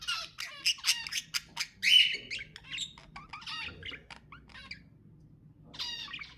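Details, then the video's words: Pet budgerigar sounds: a series of sharp clicks and squawks, a loud harsh note, then softer chattering and a final buzzy burst. "تحفيز طيور البادجي أقوى صوت بادجي تسمعه"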